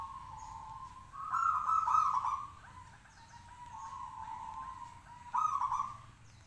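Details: Caged local zebra dove in full song, aiming to provoke rivals to reply; sustained rolling coos rising in loudness into two strong bursts, with several fainter doves answering and light chirping around.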